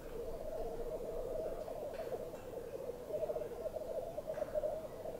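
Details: Several blackcocks, at least five or six, display at a dawn lek on a frosty, windless bog watched from a hide. A dense, unbroken low bubbling rolls on in waves, swelling and fading slightly throughout.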